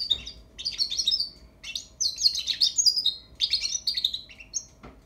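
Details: A European goldfinch chick practising song in several bursts of bright, high twittering and chirped notes separated by short pauses, ending with a single clear whistle.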